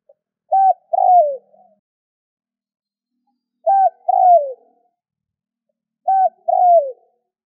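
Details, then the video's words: Calling spotted dove used as a decoy to get other doves calling; three two-note coo phrases, a short flat note and a longer descending note, spaced roughly every three seconds in quiet surroundings. "Tiếng cu gáy kích bổi nhanh gáy hiệu quả"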